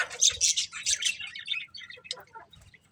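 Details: Bright budgerigar chatter opening loud with fast scratchy warbles and squeaks, then thinning into scattered short chirps that fade toward the end.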